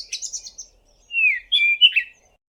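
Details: Cape Robin-Chat, an Eastern Cape (South Africa) garden bird: a quick run of high, thin chirps, then three clear whistled notes, the first sliding downward and the last two rising. No other sounds.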